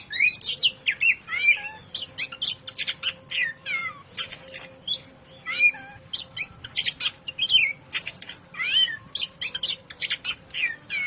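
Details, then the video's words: Oriental magpie-robin (kacer) in Indonesia, a 'ngobra patah' style song used as masteran for training other birds: varied whistled and harsh notes in quick separate bursts, some rising and falling slurs, steady low hum behind. "BURUNG KACER NGOBRA PATAH GACOR MANTAP BUAT MASTERAN"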